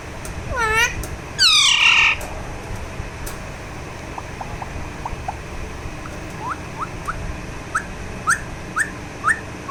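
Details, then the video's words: Alexandrine parakeet kept as a talking pet, calling while enjoying a massage: two bursts of loud, harsh, ringing squawks early on, then a run of short, soft rising chirps repeated about every half second. "Parrot Enjoying Massage Therapy"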